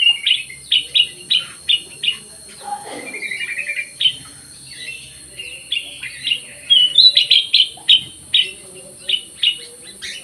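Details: Lively song of a black-crested bulbul in an aviary: quick runs of clear whistled notes, a brief warbled phrase midway, then dense repeated chirps toward the end.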